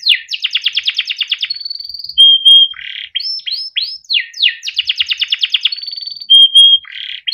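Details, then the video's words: Melodic song of a yellow Timbrado canary: a fast rattling trill, a held whistle, a few slurred sweeps, with the same sequence repeated a second time. "Timbrado canary singing beautiful melodic songs"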